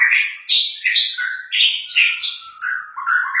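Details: Pet canary from Banten, described as the chattiest around, singing a lively, unbroken warble of rolling and buzzy phrases that rise and fall, with bright whistled notes and fast trills packed closely together.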